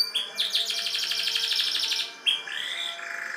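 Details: Kept canary in a lively singing style said to resemble the ciblek, giving a fast buzzy trill of rapidly repeated high notes, then a short gap and a drawn-out whistled phrase that slides downward.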